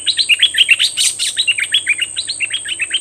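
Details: Cream-vented bulbul (Pycnonotus simplex) decoy bird, described as very fierce, recorded May 2021, sings a fast, bubbly run of short chirping notes, about two or three a second, with a steady high insect-like whine behind it.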